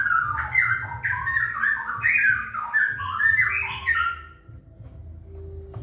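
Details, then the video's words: Wild straw-headed bulbul singing in the rapid 'ropel' style: a loud, rich, bubbling warble of quick liquid whistled notes that jump up and down, running about four seconds before stopping, over steady low background rumble. "Ropel Cucak Rowo Hutan"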